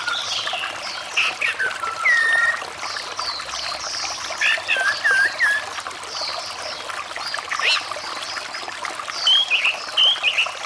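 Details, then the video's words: Orange-headed thrush song played as therapy for a bird that has stopped singing, mixed with running water: varied whistled phrases with clear slurred and rising notes over a constant loud trickling stream. "Terapi anis merah macet bunyi dengan suara air mengalir"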